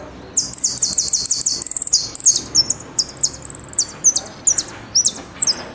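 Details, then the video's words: Jilguero or Argentine goldfinch performing "El Meryl" style song with golpe and pitadas: rapid repeated high downslurred notes, a fast rattle, then looser sharp whistled notes and short trills. "JILGUERO AUDIO "EL MERYL" ( golpe y pitadas)"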